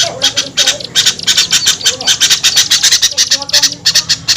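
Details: Small birds' luring call: harsh, buzzy high squawks repeated in quick irregular bursts, with a few soft lower notes and a faint hum behind.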